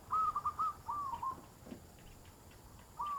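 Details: Zebra dove cooing meant as a lure for wild birds: a clear phrase of short, slurred coo notes, a softer second phrase, a pause, then another coo starting, against faint background hiss.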